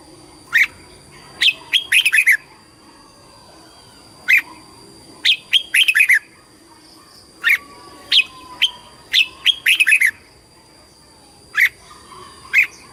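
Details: Red-whiskered bulbul competition song used to call the flock and for voice training. Short chirped phrases of three to six notes repeat irregularly over thirteen seconds, with a high steady tone behind them.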